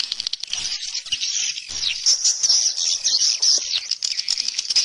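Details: A chorus of swallows gives steady, thin, high twitters with occasional sharp squeaks, many birds calling at once.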